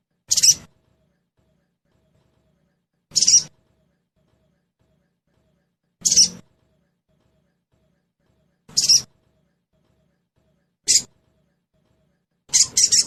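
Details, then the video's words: Sogon singing in trotol style, used as a lure to make birds sing quickly: six brief, rasping, high-pitched bursts, mostly about two to three seconds apart, with the last coming as a quick double. "Suara pancingan SOGON TROTOL agar cepat bunyi"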